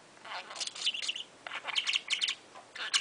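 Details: A baby pet parakeet talks nonstop in the morning, chattering in fast, scratchy bursts of high warbles and clipped word-like syllables, pausing briefly between runs.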